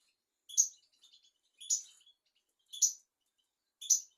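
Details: European goldfinch, from a tutor recording for young goldfinches and canaries, giving four short, bright chirps about once a second with faint soft notes between them.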